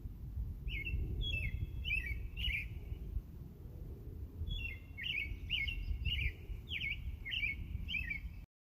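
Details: A bird chirps in two bouts of quick, bright notes. Each note bends and slides and is repeated several times, with the pattern shifting between the bouts. A steady low rumble of outdoor background noise runs underneath.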